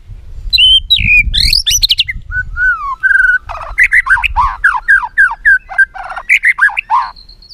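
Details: White-rumped shama song, played to train other shamas: high whistles and a descending slur, then a rapid series of rich, rhythmic downslurred notes, over some low background noise.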